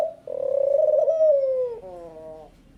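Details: Song of a Picazuro pigeon: one long, deep, pulsing coo held on a level pitch, then sinking, closing with a brief lower falling note. The background is quiet.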